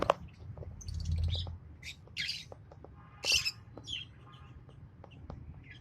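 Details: A green Fischer's lovebird pair singing and chirping: scattered shrill, high chirps and short squeaky bursts with gaps between them, over a low steady background rumble.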